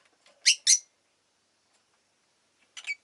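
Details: Two loud, sharp, high chirps close together from pet rosy-faced lovebirds, a group calling quite often that day. A quieter, rougher chattering note follows after a long pause.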